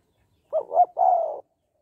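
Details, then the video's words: Spotted dove in the 'hạp bổi' voice style, used to spur males to call quickly: a single clean phrase of two short rounded notes followed by a longer, steady, slightly hoarse coo, about one second in all, in silence. "Tiếng Cu Gáy Giọng Hạp BổI - THÚC Kích Bổi Nhanh Nổi"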